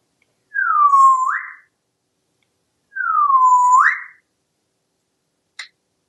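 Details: Pet parrot that had been dancing and was ignored gives two loud whistles about two seconds apart, each sliding down then sweeping sharply up, followed by a short click, in a quiet indoor room.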